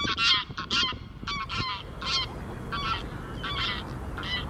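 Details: Wild greylag goose honking: a series of loud, nasal, harmonic honks, irregularly repeated about twice a second, over a steady background hiss.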